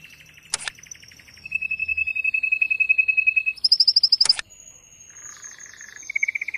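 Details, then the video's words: Excited male canary song for encouraging mating, with long level trills and rapid rolls at shifting pitches, broken by two sharp clicks. "تغريد هائج قوي لذكر كناري من أجل تحفيز أنثى وذكر الكناري على التزاوج"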